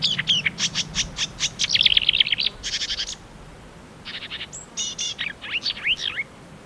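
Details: Marsh warbler from Poland, a mimic of other birds' voices: loud, rapid, varied song of buzzy repeated strokes, a dense chattering run, a pause, then sharp whistled and slurred notes with downward sweeps.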